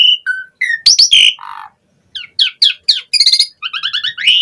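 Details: Asian pied starling song used as a lure for other starlings: clear level whistles and a squawk, a pause, then rapid rising chirps and a jangling series of doubled notes.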